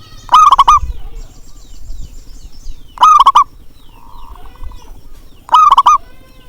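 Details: Zebra dove call played to prompt reluctant doves into calling: a loud, bubbly cooing phrase near one pitch, rich in overtones, repeated three times about every two and a half seconds over a low background hum.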